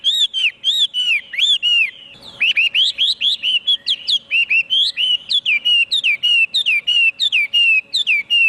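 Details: Hwamei singing loudly and continuously: rich whistled phrases with rapid rising and falling slurs, brief pause near two seconds, then a dense stream of varied, quickly repeated notes; a constant low hum underneath.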